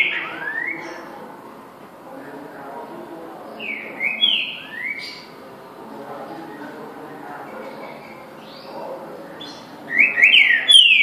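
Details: Green-winged saltator singing: short loud whistled phrases of slurred notes, some falling and some rising, given at about 0.5, 4 and 10 seconds, with quieter gaps and a faint background hum between phrases.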